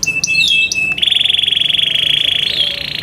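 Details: Caged Yorkshire canary singing in competition style: a few quick chirps and a steady whistle lead into a long, even, very rapid rolling trill on one pitch that rises slightly at the end.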